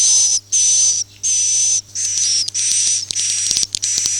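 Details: Swiftlet in the "Akau ngaji" manner: steady hissing buzz-notes carrying a thin whistle, about seven bursts with short breaks, a few faint clicks near the end.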